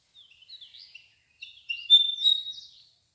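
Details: Bird song of varied high whistled and chirping phrases, short notes around mid-high pitch, a quieter opening then a louder sustained whistled section near the end, on a clean quiet background.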